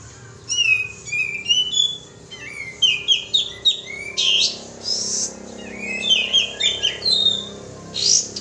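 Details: Bulbul called kapas tembak giving its lure call: varied, whistled and chirpy notes delivered in uneven clusters, some rising, some falling, with brief pauses.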